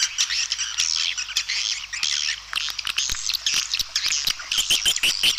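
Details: Calling sound of edible-nest swiftlets, meant to attract birds to nest: continuous high buzzy twittering with many sharp clicking chips, ending in a run of quick, thin whistled notes.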